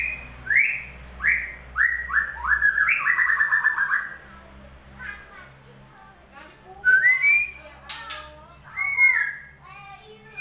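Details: Lure song of a white-rumped shama for prompting a bird that has stopped singing: quick rising whistles repeated in a descending series, then a burst of rapid trilled notes, followed by scattered chirps and looping whistled phrases.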